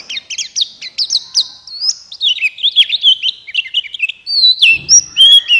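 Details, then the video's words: Buxtoni white-eye singing as a training lure to stir lazy white-eyes into song: a lively run of thin, high chirps and quick slurred notes, about three per second, ending in clearer whistles. "Pancingan Pleci Cepat buka paruh Gacor Ngalas Bukpar"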